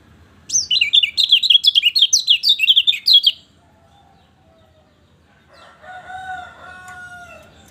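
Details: Lemon-bellied white-eye song for rousing a bird that will not sing: a brisk, high, zigzagging chatter for about three seconds. After a pause comes a separate, longer, lower, steady, harmonic drawn-out sound.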